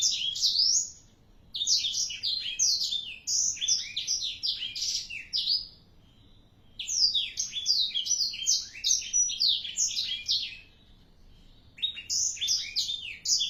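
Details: Black-throated canary at four months, in lively song: three long bursts of rapid, high, twittering and trilled notes, separated by pauses of about a second.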